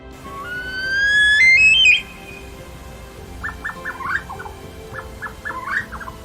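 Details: Himalayan snowcock, high alpine cliffs: a long clear whistle climbing to a sharp upturn, then clusters of shorter whistled notes over faint hiss; call often at dawn or dusk, male breeding-season call asserting dominance and attracting mates.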